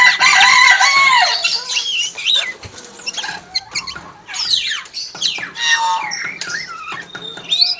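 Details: Common hill myna imitating a chicken, opening with a loud harmonic whistled phrase, then rapid chattering, swooping squeals and clucky notes.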